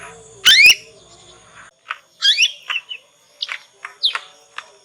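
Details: Juvenile Yorkshire canary learning its ngriwik sound, played as a lure so other canaries respond and copy; a loud rising double chirp, then a run of shorter, sweeping high notes spaced irregularly.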